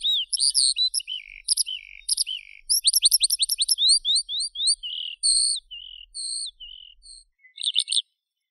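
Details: Skylark song opening with bright chirps, then a quick ladder of rising slurred notes, followed by longer flat whistles and scattered chips that end in silence.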